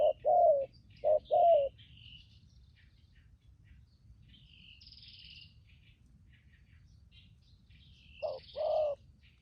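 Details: Spotted dove used as a trapping decoy, cooing in a few short bursts of low coo pairs separated by a long pause filled with high buzzy and whistled calls of other birds.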